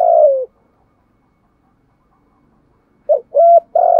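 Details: Spotted dove kept as a decoy, ending one long falling coo, then after a silence starting a new phrase of a quick short note and two sustained hollow coos.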